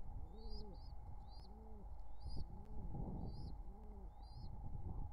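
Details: Wild pigeon courtship call near nestlings in summer 2023: four rounded, low coos at roughly one-second intervals, accompanied by sharp, high, rising chirps from a smaller bird and background hum.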